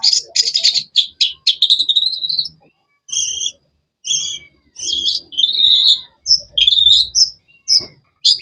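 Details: Energetic, varied chirping from a long-tailed shrike (cendet): rapid high chattering at first, then paired sharp notes and warbled, slurred phrases repeated with short pauses between them.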